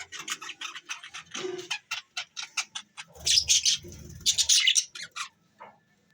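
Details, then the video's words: Pet budgies recorded on December 25, 2023, chirping in quick bright bursts of high, scratchy notes, then a louder burst of overlapping chatter over a few low thumps. "chirping sound budgies birds"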